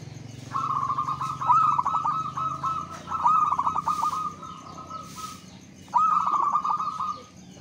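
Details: Local zebra dove song used to prompt other doves to sing: repeated phrases opening with quick stuttering notes that run into long rolling trilled coos, three phrases in a row, with faint low hum behind.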